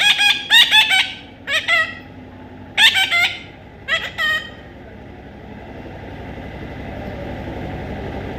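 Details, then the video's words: A baby parrot gives several clusters of raspy, repeated squawks in the first half. After that the calls stop and a rising rumble of traffic fills the rest. "natural funny parrot sound"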